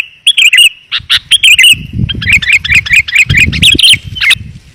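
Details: Sooty-headed bulbul lure calling, described as clear and dense, used to attract wild birds. Busy, jumbled chirps and twittering notes run almost continuously, with low rumbling noise beneath.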